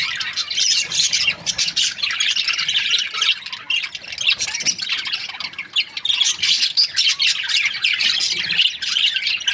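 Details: Nearly ten seconds of budgerigar breeding pairs chattering: relentless high chirps and scratchy squawks overlapping in a busy, pulsing chorus.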